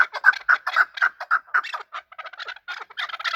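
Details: Chukar partridge during fighting, uttering uneven clucking notes, some run together and others spaced, with a rasping second voice toward the end.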